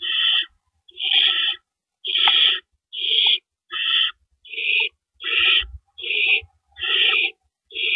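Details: Nest of owls around 4:30 AM on April 4, 2012, as rabbits are delivered and taken away; a steady series of rough, breathy screeches, about ten in eight seconds, evenly spaced.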